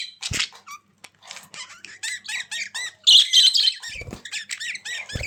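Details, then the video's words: Budgies call in quick bursts of squeaky, buzzy chirps, several a second, some louder and harsher, with occasional low thumps of movement. "Budgies Sounds"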